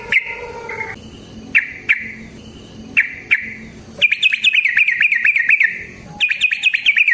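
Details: Yellow-vented bulbul recording used to spur a bird to sing: opening steady whistled tones separated by sharp clicks, then a fast run of bright chirping notes, a short break, and a renewed burst of rapid chirps.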